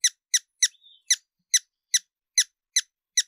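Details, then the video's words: A hummingbird gives sharp, high, dry chips, about three per second for nine notes, with one faint thin whistle between them. "Sonidos de Colibries - COLECCION SONIDOS DE COLIBRIES - Hummingbirds Sounds"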